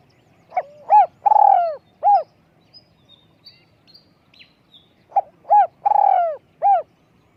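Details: Spotted dove with a small voice, kept for decoy luring, gives two coo-rolling-coo phrases about four and a half seconds apart, with faint high chirps of other birds in between.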